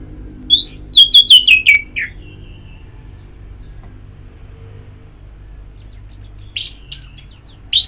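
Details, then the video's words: Orange-headed thrush song from ngeplong therapy recordings for a bird: a run of high, descending whistled notes lasting about a second and a half, a long pause, then a jumbled stretch of thin, high twittering notes. "Pagi Siang Sore Terapi Ngeplong Untuk ANIS MERAH Malam ya Tidur Merangsang untuk Bunyi"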